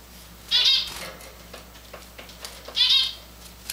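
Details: Tame, hand-fed grey and white Java finches: two short, bright chirps about two seconds apart, each a brief harmonic note, with quiet room background and faint clicks between.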